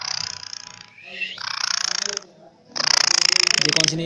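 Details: A pet rescued rose-ringed (Indian ringneck) parakeet gives three harsh, grating screeches, each about a second long and rasping high in pitch, with short pauses between them.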